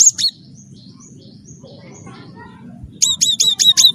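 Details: Wingko-type cinereous tit, a prolific singer, used to coax other birds into song: a brief high note, a quiet pause, then a fast run of five ringing, down-slurred whistled notes above faint low background noise.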